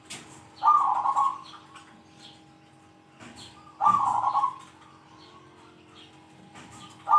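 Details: Actively calling zebra dove with a large 'kung' voice, said to be best at challenging rivals: a burry, rolling coo of about one second, given twice about three seconds apart, and a third starting at the end.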